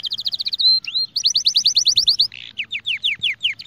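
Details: Song of a Spanish Timbrado canary used to teach young birds: a fast high trill, a single rising whistle, then a run of bright sweeping notes and slower descending chirps, repeated about three times a second.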